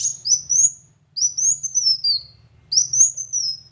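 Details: Van Hasselt's sunbird song used to prompt a silent bird to sing: three drawn-out, high whistled phrases sliding upward then gently down, with a faint low hum in the background.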